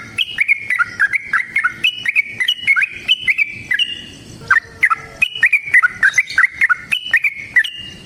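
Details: Sooty-headed bulbul in a long, fighting-style song used as a lure: fluty notes alternating high and low in rapid, bouncing phrases, a short break, then renewed quick whistled phrases.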